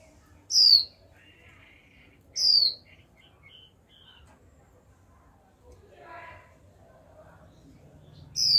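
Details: Young female Japanese white-eye, a kept cage bird, giving the 'chíu' call used to stir males into singing: three sharp, high whistled notes sliding downward, spaced about two seconds apart, with faint low rumble beneath.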